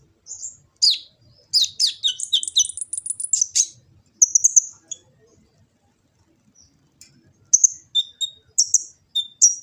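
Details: Kolibri ninja sunbird from Gresik, East Java, phone-recorded as a training master song: a fast high twittering burst, a short buzzy note, a silent gap, then scattered thin sharp chips.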